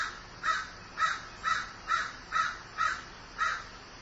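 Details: Seven coarse caws from a grieving crow, repeated roughly every half second in a steady rhythm, each a brief hoarse burst over low, constant background noise.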